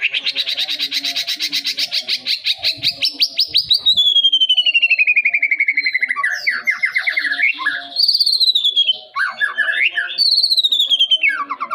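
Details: Young white-rumped shama, described as already good enough to serve as a master bird for others to learn from, opens with a fast buzzy trill, then a long smoothly descending whistle, followed by varied, loud, rapid whistled phrases.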